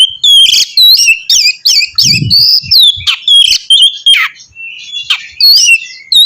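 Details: Oriental magpie-robin in loud song to draw out another bird's singing: dense rapid whistles, slurs and scratchy chips delivered in bursts, with brief low thumps.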